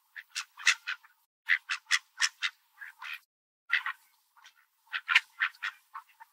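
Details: Hungry Mallard ducks at a park, including a large dark-feathered duck with a white chest, fighting over birdseed, crowding and pecking each other; bursts of short, raspy, rapidly repeated quacks from several birds, with brief pauses between flurries.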